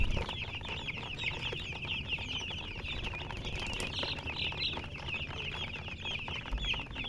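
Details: Chicken chicks chirping in a flock: crisp, high, downslurred peeps overlap densely, a few standing out clearly, with low rustling and a thump near the end.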